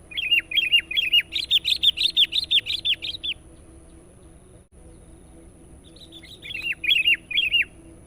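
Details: A sooty-headed bulbul, played as a lure for wild birds, gives a fast repeated string of bright, downward-bending warbled notes for about three seconds, falls silent, then resumes with a shorter series of similar notes.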